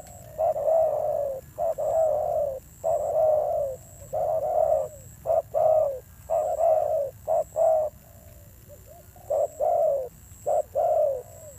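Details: Spotted dove, newly caught from the wild, giving its fierce call: long series of low soft coos in short-long pairs, some notes gently falling, repeated steadily with a brief pause midway, faint high whine behind.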